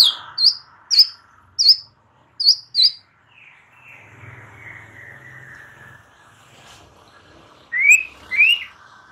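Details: White-rumped shama, used to lure a young wild-caught bird into free singing: five sharp high clipped notes roughly every half second, a long sliding faint whistle, then two loud rising whistles.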